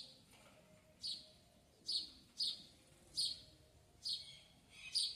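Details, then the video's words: Backyard sayaca tanager calling: a series of six sharp, high-pitched squeaky notes spaced roughly a second apart, each brief and bright, with only quiet low rumble behind. "Sanhaçu cinzento no quintal"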